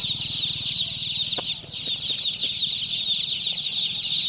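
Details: Domestic chicken chicks in a crowd cheeping continuously, high shrill peeps blending into a constant chatter, with a few soft clicks and bumps and a faint low hum underneath.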